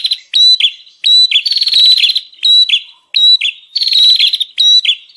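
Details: Lure recording of a bar-winged prinia, used to draw in wild birds: bursts of buzzy pulsed chatter alternate with thin whistled notes and downward chips, roughly once per second.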